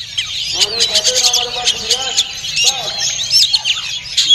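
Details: An unringed wild-caught Oriental magpie-robin at a national bird-song contest sings a rich, fast run of whistles and chattering notes, while other caged birds call over it and voices murmur beneath.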